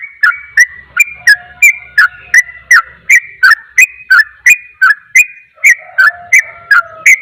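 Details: Sooty-headed bulbul in rapid 'ropel' song that provokes other bulbuls: very regular, bright whistled notes about three per second, each with a crisp tick, and a soft low steady tone toward the end.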